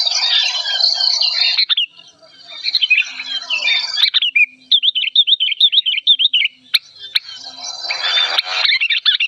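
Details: Old sooty-headed bulbul, an emotional bird, singing in a loud, clear, agitated rage: harsh scratchy chatter alternating with rapid high zigzag chirps and sharp squawks, with brief pauses between bursts.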